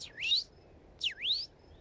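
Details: Eastern towhee calling in the distance, giving two clear, high 'tow-hee' calls about a second apart, each dipping sharply then sweeping upward; the bird is named after this call.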